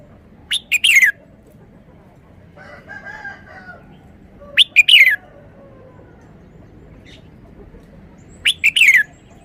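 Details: Caged red-whiskered bulbul singing its sweet three-syllable song style. Three bright phrases of three rapid, falling whistled notes come about four seconds apart, with a low murmured warble between the first two.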